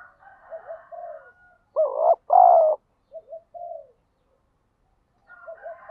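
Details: Cooing of a spotted dove used for provoking fights and daily decoy-bird training: two strong, low, throaty coos near the middle, surrounded by softer short cooing notes and faint higher twittering before and after.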